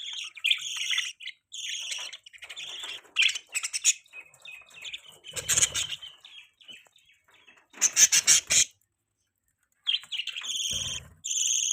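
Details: Budgerigar mating chirps: repeated bursts of harsh, buzzy chatter and sharp tweets, several louder scratchy flurries, with a quiet gap before chattering resumes.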